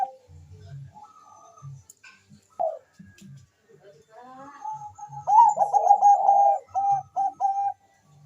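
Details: Bangkok-type zebra dove, a persistent singer played to spark mating urge and singing in other doves, starts with scattered soft notes and low thumps, then breaks into a loud, rapid, rolling series of staccato coos before tapering off.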